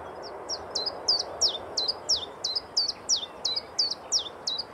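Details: A Common Chiffchaff sings in backlight showing its feathers, a steady chiff-chaff of high, clipped notes alternating slightly in pitch, about three each second, over a soft background hiss.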